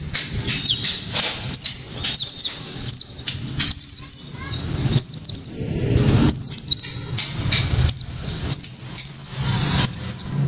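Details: Loud, sharp Japanese white-eye song meant to spur other white-eyes into singing: repeated short bursts of very high, quick zigzag twitters, roughly every second or so, with a low background hum throughout.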